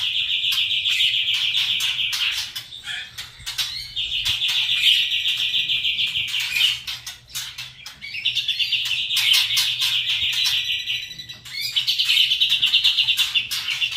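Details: Kretekan trotol song of a white-rumped shama: long bursts of rapid, rattling repeated notes at one high pitch, each lasting about two seconds, separated by brief pauses with scattered chirps.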